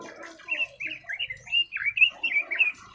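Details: Red-billed leiothrix song, a continuous string of slurred, warbling notes about four or five per second, somewhat muffled and echoing, with a faint low rumble underneath.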